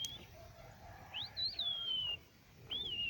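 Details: Crested lark from Quetta singing: clear whistled notes, one rising sharply then sliding down in a long drawn-out slur, followed after a pause by another falling whistle; quiet rural background.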